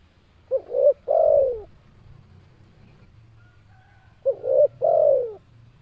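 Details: Spotted dove, said to call constantly, repeating its three-part coo twice, nearly four seconds apart. Each phrase starts with a short note and a rising coo, then ends in a sustained falling note, with a soft low hum underneath.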